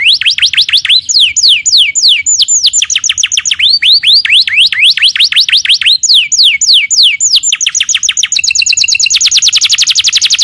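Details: Canary song as a training recording for other birds: series of fast falling whistled sweeps in varied groups, ending in a very rapid high rattling trill.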